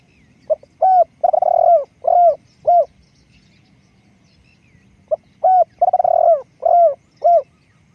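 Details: Spotted dove used as a decoy bird, repeating its cooing phrase twice. Each phrase is a soft pip, a hoot, a long burred trill, then two or three short descending coos, separated by a quiet pause.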